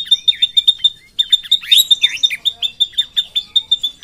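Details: Singing drongo in Indonesia, long rolling song of fast repeated sharp notes mixed with downward-swooping whistles and a brief harsh rasp in the middle.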